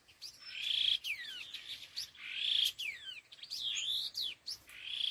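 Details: : Laughingthrush (khứu lùn) calling in the 'đôi hung gọi đằng' style. Bright whistled notes mix with sharp downward-slurred sweeps and sustained high whistles, in bursts about every second.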